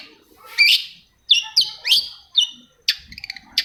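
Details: Long-tailed shrike song meant to stir quiet shrikes: loud harsh rasping notes followed by slurred whistles, each dropping then rising, then a quick chattering run at the close, in quiet surroundings.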